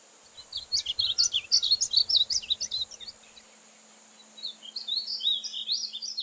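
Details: Two warbled phrases from a painted bunting, each a quick run of high chirpy notes, separated by a second of silence; soft low thumps sound under the first phrase.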